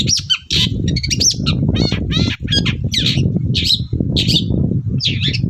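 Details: Long-tailed shrike in full morning song, used as a lure to make other shrikes answer: a rapid string of varied harsh chattering and scratchy notes with short whistled slurs, set over a constant low rumbling background noise.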